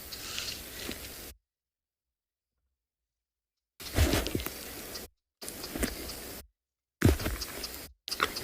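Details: Human speech comes in short stretches broken by silent gaps, with no animal sound heard.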